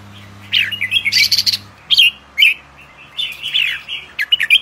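Red-whiskered bulbul giving a run of bright, bubbly whistled phrases, short liquid notes rising and falling in quick bursts, with a faint low hum early on.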